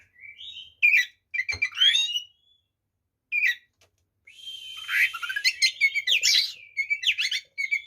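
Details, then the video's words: White-rumped shama singing a full, varied fighting song used to rile other shamas: clear whistles, rising sweeps and rapid buzzy trills in bursts separated by a silent gap. "SUARA BURUNG kacer gacor TARUNG FULL ISIAN ini PALING AMPUH MEMBUAT KACER EMOSI"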